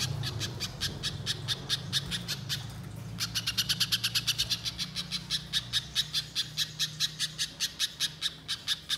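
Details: Spiderhunter in the wild, long chattering lure song: a sustained series of rapid, high, sharp notes, briefly breaking off near three seconds before resuming faster and louder, with a low steady hum in the background.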